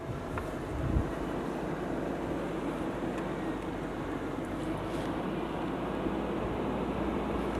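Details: Low, steady engine drone of an idling vehicle with a few faint knocks and clicks, and no animal sounds.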